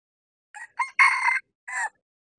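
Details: Male red junglefowl decoy crowing, used to lure wild junglefowl on a bamboo-forested hilltop: a short broken crow of harsh notes, the loudest and longest held in the middle, ending with a falling final note, in silence.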